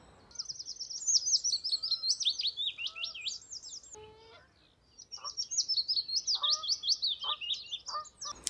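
Willow Warbler song: two sweet, fluid cascades of high notes, each slipping gradually lower over about three seconds, with a few softer lower notes between phrases.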